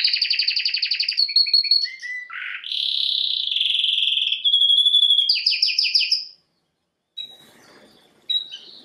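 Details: Canary song of rapid pulsed trills, a few lower whistled notes, a sustained buzzy trill and a fast rising rattle, ending in a pause and faint scattered notes.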